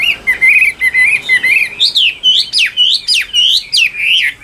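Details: Caged Chinese hwamei singing: slurred whistles near one pitch, then louder, higher rising and falling whistled phrases repeated quickly, about twice a second, with clean gaps between notes.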